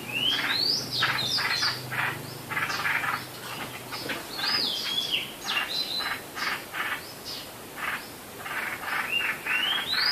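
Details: Birds before dawn on 8 April 2016, giving a busy chorus of whistled calls: rising and falling sweeps and short bright notes overlapping quickly, with a faint low hum during the first four seconds.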